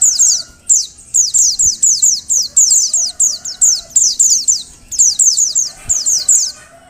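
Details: Female Oriental white-eye calling to stimulate male song: steady, fast series of thin, high, downward-sliding chirps grouped in threes and fours, nearly unbroken, with faint low tones beneath.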